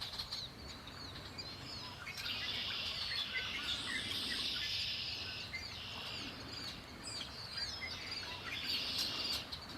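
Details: Several wild birds singing by Lake Erie, overlapping high chirps and trills in a steady chorus with a low rumble of environmental noise beneath.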